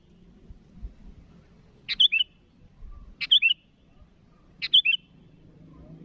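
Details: Sooty-headed bulbul calling rivals, three clear phrases spaced over a second apart, each a click leading into two bubbling whistles; faint low rumbles in between.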